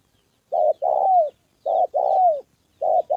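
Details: Spotted dove, a trained decoy bird during a training session against a wild bird. Low mellow coos at regular intervals, a short note then a longer one sliding downward, about once per second, with a quiet background.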